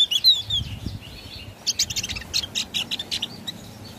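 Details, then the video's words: Javan grey-throated white-eye singing loudly: a fast run of high, bright chirps and short whistled notes, several each second, over faint background hum. "Suara Opior Jawa Ngeplong"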